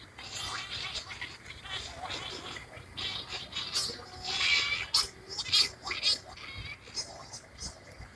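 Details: Scopoli's shearwater (Calonectris diomedea) gives harsh, nasal wailing cries in uneven bursts, loudest near the middle, over scratchy background noise.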